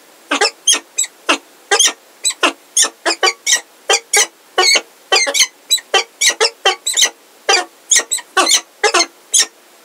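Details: Peregrine falcons at Heidelberg, 17 February 2023, with a new unringed female: a dense, excited run of loud, harsh, squeaky notes delivered almost continuously, sometimes in quick pairs.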